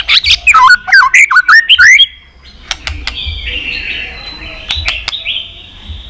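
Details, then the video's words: White-rumped shama in 'tạch' song meant to stimulate other shamas: a quick two-second burst of loud, tumbling whistled notes, then quieter, drawn-out high whistles with scattered clicks. "Chòe lửa tạch liên tục"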